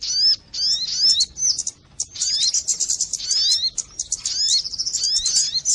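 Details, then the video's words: Sogon birds used as a lure to bring birds down, giving dense high chirps and rising and falling squeaky notes in overlapping bursts, with short quiet gaps near half a second and two seconds. "mp3 suara pikat burung sogon.sekali putar burung auto turun semua"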